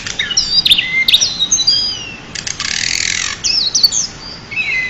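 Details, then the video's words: Champion pied bushchat tutor song: tangled high warbled phrases and sharp clicks, interrupted by a brief harsh hissing burst, then resuming with sweet whistled slurs. "burung decu juara untuk master"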